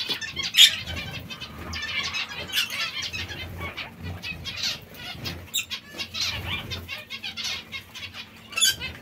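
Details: Zebra finches pecking at seeds and fresh lettuce: song of rapid nasal, buzzy notes in short bursts, high and scratchy, with soft wing flutters between them.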